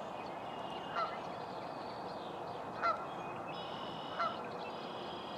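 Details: A Virginia rail in a local park one morning utters three short, nasal notes at uneven gaps, while other birds give thin whistles and trills behind a constant background hiss.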